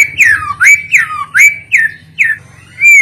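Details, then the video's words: White-rumped shama singing as a lure to set other birds off: loud, swooping whistles that rise and fall, repeated about every half second with short pauses, over a faint low hum. "sekali dengar murai,trotoll,pastol ikutan bunyi"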